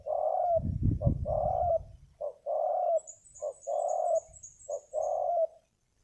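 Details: Wild spotted dove lured to a ground decoy site, praised for a deep, big voice: low hoarse coos in short grouped phrases, each ending in a drawn-out note, with a thump of low rumble near the start.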